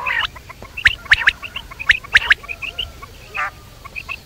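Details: Quail (batair) heard at night: quick, clicky chirps spaced roughly a second apart, with softer squawks at the start and a brief buzzy rasp near the end.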